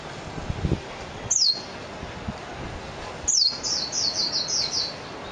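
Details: Mejiro, the Japanese white-eye, gives a single high falling chirp, then after a two-second pause a rapid run of about seven thin, descending tweets, against quiet low background noise.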